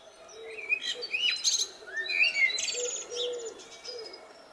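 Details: Spring blackbird song with rich, rising and falling fluted phrases mixed with high, scratchy twitters. A dove coos softly and repeatedly in the background.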